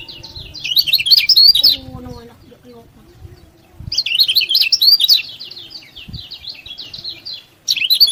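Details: Lemon-bellied white-eye (kecial kuning) in full song, used as a tutor to rouse lazy birds into singing: dense bursts of high, fast twittering chirps, two long phrases separated by a quieter gap with low background chatter.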